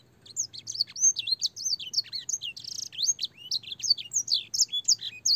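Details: Long canary master song meant for young birds, with blackthroat and sanger fills. It starts after a brief quiet, then pours out varied high chirps, slurs and one short buzzy burst in a lively, unbroken sequence.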